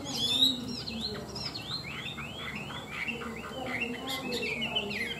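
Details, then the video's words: Chinese hwamei, a tame bird, delivering a steady series of repeated downslurred whistled notes, about two per second, fairly soft against a faint low background hum. "Họa mi thuần đẹp, hót tốt bộ to"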